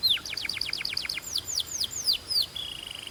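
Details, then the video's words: Short phrase from a Belgian canary: clear down-slurred notes repeated about five times a second, slowing into longer swoops, ending on a steady thin whistle. "This BELGIAN CANARY SINGS BEAUTIFULLY"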